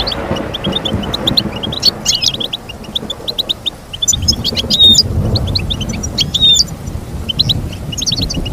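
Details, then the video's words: Goldfinch song of high twittering chirps and short trills over a noticeable low background rumble that rises in the middle. "Teach your goldfinch to sing beautiful motivational songs"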